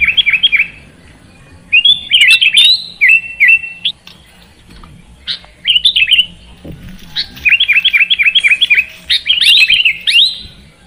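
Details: Kutilang, the sooty-headed bulbul, singing in a therapy recording for lazy birds; short chattering bursts and rapid runs of repeated chirped notes, with quiet gaps between phrases.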